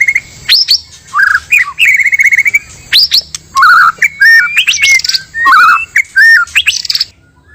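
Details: Male and female white-rumped shama singing as a lure for trapping: rich whistled phrases, some held steady, others rising sharply or dipping, mixed with short chirps and scratchy notes in a lively, irregular stream.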